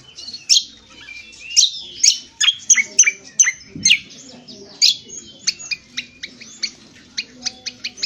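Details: Indonesian honeyeater (Lichmera limbata) rough twitter, ngriwik kasar, for training birds: quick, high scratchy chirps in an uneven run, then a steadier series of short sharp notes roughly twice a second; a brief low knock midway.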